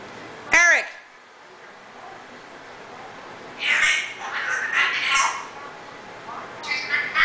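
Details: A pet African grey parrot on Christmas Eve lets out a sudden loud, ringing squawk, followed after a pause by raspy, speech-like chattering phrases in an indoor room.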